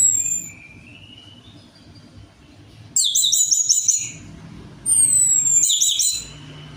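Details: Orange-headed thrush song used to lure another bird into singing: a thin high whistle fading out, then two loud bursts of rapid, shrill, chattering and twittering notes a couple of seconds apart.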